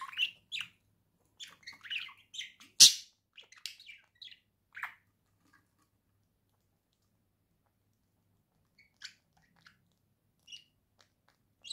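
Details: A caged pair of pet budgerigars indoors, November 2024, chattering: a burst of mixed chirps, buzzy squeaks and a sharp loud note in the first five seconds, then near silence broken by a few soft twitters.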